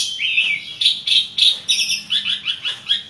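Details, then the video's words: Energetic Asian pied starling song: squeaky, slightly buzzy notes repeated about three times a second, each short phrase rising and falling in a bouncing rhythm. "jalak suren gacor ngoceh banyak isian"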